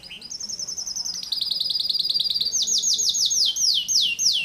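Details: Canary song: a short rising note, then a fast shimmering trill that speeds into a rattle, ending with loud repeated downward-sweeping whistles about two per second.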